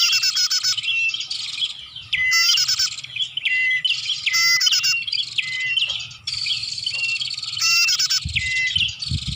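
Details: Lure recording of bar-winged prinia for attracting birds: continuous loud, high, buzzy chirping with rapid trills, and short whistled notes that drop, then level off, repeating about every two seconds, with low thumps near the end.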